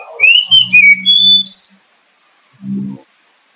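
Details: Oriental magpie-robin song used as a lure for singing: a rising whistle, then a run of level and wavering whistled notes over a steady low hum, ending in a short low buzz.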